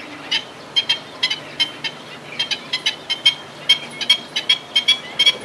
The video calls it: 黑翅長腳鷸(高蹺鴴)/Black-Winged Stilt(Himantopus himantopus)call